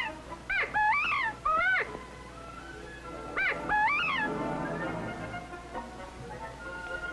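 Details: Spring in the central-southern United States: a male Northern Bobwhite utters his familiar call amid the covey breakup and rivalry for mates, clear whistled notes slurring up then down in two quick bursts of three or four, over a faint steady hum.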